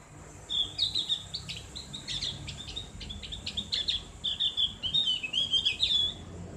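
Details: Javan grey-throated white-eye singing in the ngriwik style with a clear ngeplong voice, used to train kept birds: a fast chatter of high ticking notes and thin whistles that builds into dense twittering runs.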